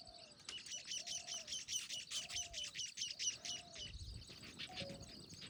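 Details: Baya weaver at Jim Corbett National Park on a jungle safari, giving fast, sizzling, high-pitched chatter in rhythmic pulses. Low, soft cooing notes repeat about once a second underneath, followed by a brief low thump.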